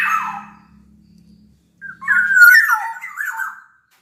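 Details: Black-naped oriole from Sumbawa, a big-bodied bird in full voice, singing as a lure to make other orioles sing: a brief fluty opening, a pause, then a rich whistled phrase with slurred, warbling notes over a faint low hum.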